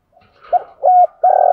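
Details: Decoy spotted dove calling to draw in wild doves, giving three deep coo notes in quick succession: a short one, a level sustained one, then a longer rolling coo.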